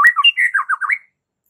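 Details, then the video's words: Raging white-rumped shama phrase from a fighting-song master: one brief second of squawky, wavering notes in a fast jumble, then silence. "jadikan Murai Batu siap TARUNG dengan MASTERAN Murai Batu GACOR NGAMUK satu ini"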